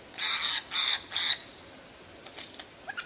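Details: Lyrebird singing a varied song: three loud, harsh, broadband bursts like cawing in quick succession, then a hush with faint scattered chirps and a few soft notes at the end.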